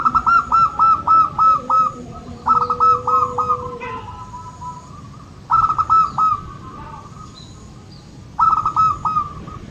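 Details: Zebra dove of local stock, a recording meant to stimulate birds that rarely sing; quick bubbling coo phrases of six to eight clipped notes repeat every three seconds or so, while a lower steady coo hums underneath.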